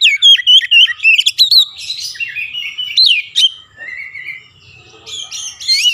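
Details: Oriental magpie-robin singing with imitated Javan myna calls: rapid bright whistled notes up front, then scratchier phrases and a lower sweeping whistle, ending in a fresh burst, followed by a spoken "yeah".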